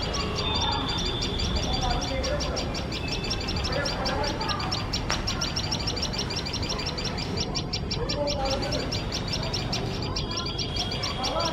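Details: A tailorbird pair keeping watch on their nest gives loud shrill alarm calls while a male cat sits very close. High, sharp notes repeat rapidly throughout, roughly four per second, over a steady low rumbling background.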